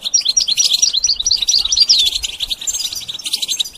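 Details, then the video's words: A goldfinch sings in short, rapid, high-pitched twitters mixed with thin slurred whistles, the notes packed closely and continuous for the whole few seconds; meant as a model for teaching the bird to sing. "The basics of training the goldfinch to sing"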